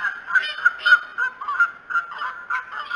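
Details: Bald eagles at the Decorah nest on the morning of 21 March 2018: a rapid run of short, squeaky, piping notes, roughly three per second, slightly harsh and uneven in loudness.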